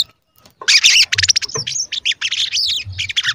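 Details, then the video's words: Lively sogon singing cuit cuit, used to stir other sogon into calling and agitation: after brief silence, a long run of rapid high twittering and scratchy notes with quick rising and falling chirps. "Pancingan Sogon Agar Bunyi dan Emosi, Sogon Bahan Auto Nyaut dan Cepet Rajin Bunyi"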